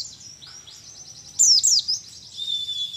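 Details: Mount Ciremai mountain white-eye from Majalengka, West Java, a young wild bird one month into training toward 'nembak' style, gives soft high twittering, then two loud sharp downswept notes, followed by a long thin sustained whistle.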